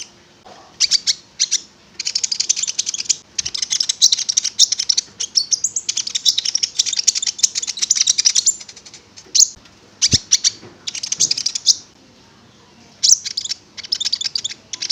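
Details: Konin (prinia) song played as a lure to make the bird sing: long sequences of fast, high, rattling and buzzy notes in repeated bursts with short breaks.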